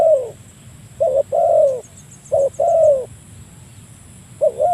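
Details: Calling spotted dove challenging a rival, a sound used to lure birds: short coo notes each followed by a longer level coo that fades downward, repeated rapidly, with a brief faint high trill in the background.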